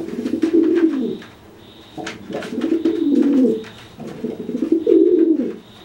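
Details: Pigeon puffing up and cooing to threaten another pigeon soaked from bathing; a run of deep rolling coos in three main bouts, each about a second long, with brief clicks between.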